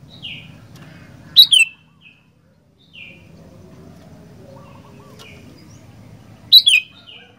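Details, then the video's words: Sooty-headed bulbul singing actively: two loud, short whistled phrases about five seconds apart, each a bright note sliding downward into a quick bubbly tail. Quieter, lower chirps and a faint low hum fill the gaps. "Burung Kutilang Gacor"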